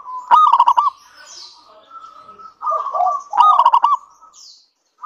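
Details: Local Indonesian zebra dove singing freely, a lure for other doves: two sharp bursts of rapid stuttered coos about three seconds apart, linked by a soft sustained hum of notes and a faint high chirp.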